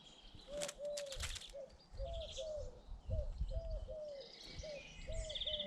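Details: Garden birds in Britain: a run of low, evenly spaced cooing notes with high chirps and trills from other birds over the top, with some rustling and knocking sounds low in the background.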